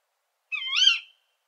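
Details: Female Tawny Owl giving the call that gives the species its dialect name 'kuwik': one harsh, nasal, layered shriek lasting about half a second. It rises, then swells and falls away, against complete silence.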